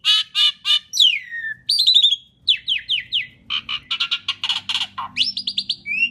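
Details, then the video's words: Asian pied starling singing loudly in a long lure recording: rapid sequence of harsh rasping notes, descending whistled slurs and buzzy chatter, each element brief and sharply separated. "Kicau Jalak Suren Gacor Paling Nyaring - Durasi Panjang ISIAN FULL ROLL cocok untuk PANCINGAN"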